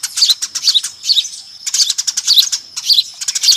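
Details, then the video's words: Eurasian tree sparrows in a noisy flock, lure call of quick chattering chirps in bursts, a brief quieter gap near the middle. "SUARA PIKAT BURUNG GEREJA RIBUT AMPUH"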